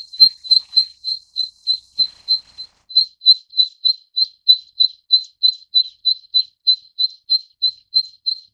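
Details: Zitting cisticola (Cisticola juncidis) repeating thin, sharp, high-pitched 'zit' notes in a steady run of nearly thirty over eight seconds, about three each second, evenly spaced with a brief hitch near the start. The background is silent.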